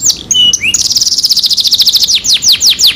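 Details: Canary song meant as a pancingan for a bird that has stopped singing: mixed chirps lead into a fast high trill, slowing into clear descending whistled slurs repeated about three times a second.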